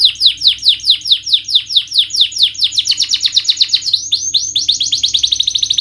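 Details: Canary song meant to rouse a sluggish or stressed bird: repeated falling chirps that speed into a dense trill, pause briefly, then resume as quick high rolling notes.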